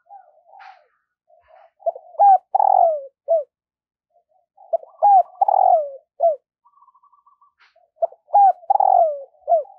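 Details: Morning calling by a decoy spotted dove luring wild doves. The same phrase comes three times, about every three seconds: quick soft notes, a rolling coo, a long hoarse falling coo and a short closing note.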